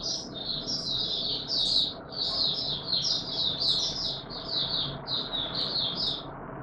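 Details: Mata Puteh Raja white-eye singing in warm, humid conditions, 20 March 2022: an unbroken stream of high, rapid chattering and twittered notes, steady in volume, with a low background rumble.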